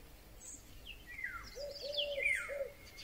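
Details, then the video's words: Eurasian golden oriole singing in May 2020: low fluted whistles rising and falling in short phrases, alongside higher downslurred whistles and chatter from other birds in the background. "Wilga .Śpiew. W tle słychać też inne ptaki."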